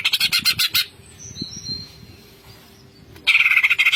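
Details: Greater green leafbird singing steadily in the ngentrok style, packed with fill-in phrases: a fast pulsed rattle opens, faint thin whistles follow during a pause, then another rapid high rattling burst closes.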